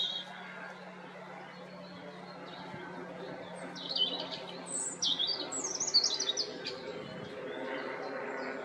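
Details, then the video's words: European robin in spring, after a quiet stretch of low background noise, delivering a burst of high, sharp, squeaky notes and rapid twittering runs in its second half, with steady faint ambient hum beneath. "RUDZIK pięknie śpiewający wiosną / Singing robin"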